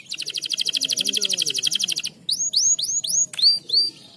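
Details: Canary in breeding condition, its song meant to bring birds quickly into mating. A fast, buzzy high trill of evenly repeated notes for two seconds, then a string of rising, upswept whistled notes, with faint low cooing underneath.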